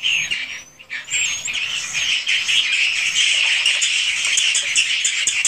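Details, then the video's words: Many swiftlets calling inside a swiftlet house, raw recording: a constant high buzzy twitter with short rapid chirps, a few thin whistled notes near the start, the chorus steady throughout. "REKAMAN SUARA BURUNG WALET ASLI DI RBW SENDIRI"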